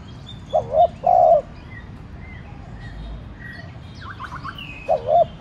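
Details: Spotted dove used as a decoy, cooing to provoke other doves into calling: a short two-part coo followed by a longer held coo, heard twice, with faint high chirps from other birds between phrases.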